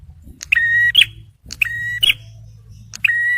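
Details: Three loud phrases from a male bar-winged prinia meant to lure and stir stressed birds, each a click leading into a long even whistle that ends in a sharp upward flick, over a faint low hum.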